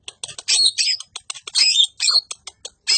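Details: Greater green leafbird, described as a rough-voiced song used for training other songbirds; harsh, scratchy bursts of chattering notes with short whistled fragments, broken by brief pauses.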